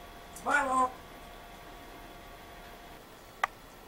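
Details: Pet African grey parrot talking in a Yorkshire accent indoors: one short voiced, speech-like utterance with a slight pitch inflection, then quiet room hiss and a single sharp click.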